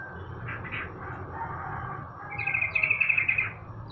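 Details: Sooty-headed bulbul during morning sunning: a few soft chirps, then a fast, even trill of about ten sharp notes near the end, over a low hum.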